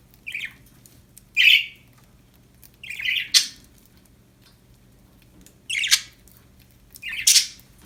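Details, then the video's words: Happy pet budgerigars give short chirps in five separate bursts about every one to two seconds, each a brief, bright, slightly squawky note, with quiet low hum between them. "Happy budgies chirping sound"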